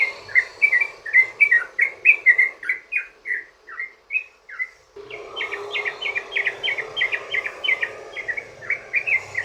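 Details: Long ropel song of a sooty-headed bulbul, used as a lure to set other bulbuls singing: a rapid string of bright gurgling notes, a short break near five seconds, then a denser burst over louder background noise.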